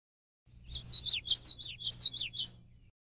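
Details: In Illinois in May, a foraging male common yellowthroat delivers a rhythmic song of four repeated rolling phrases, each ending in a dropping slur, with a low hum underneath.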